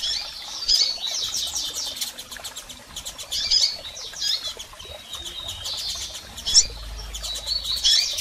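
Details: Calls of double-collared seedeaters, both females and males, meant to excite a male bird: bursts of thin, high twittering notes roughly every three seconds, scattered with dry clicking sounds.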